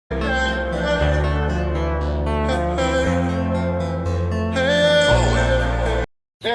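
Guitar-backed music with a singing voice plays steadily, then cuts to brief silence near the end; no animal calls are heard.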